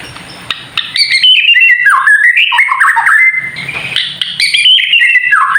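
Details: White-rumped shama in kretekan song, played to stir other shamas into singing: after a quiet start, bright whistled phrases leap and tumble rapidly, mixed with crisp clicks and rattles, a thin high whine steady behind.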